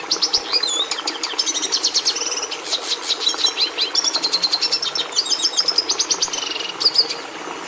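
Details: Red siskin, a species prized by breeders, singing a fast, continuous twittering song of high chirps, rapid trills and buzzy repeated notes, with short whistled slurs and a steady low background hum.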